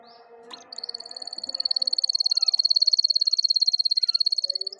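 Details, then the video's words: Canary song for training young canaries that do not yet sing: after a few faint notes, a long, very rapid high trill builds in loudness and holds steady for about four seconds. "عندك فراخ كناري ساكت أسمعه هذا الصوت، دربه على الغناء"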